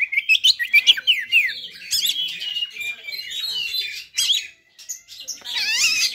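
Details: Oriental magpie-robin singing a fighter song to trigger rival magpie-robins: quick falling whistled slurs at first, then a busy warbled run, a brief pause and a final burst of looping sweeping notes.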